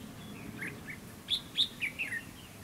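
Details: Trap-decoy red-whiskered bulbul singing to goad rivals: two soft introductory notes, then a loud, ringing phrase of five clear, bouncing whistles that step downward.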